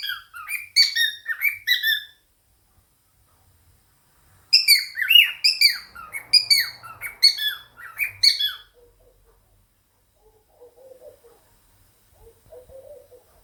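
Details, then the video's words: Indoor pet cockatiel chattering and singing alongside budgies. Quick bursts of sharp, harmonic chirps and short whistles arrive in two runs separated by a silent pause, then trail off into a few faint, soft notes. "Koko the cockatiel and fam: Chattering, singing and dancing"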